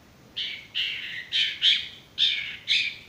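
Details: A male sirtu, recorded for training stressed or silent birds, gives six harsh, buzzy notes spaced about half a second apart.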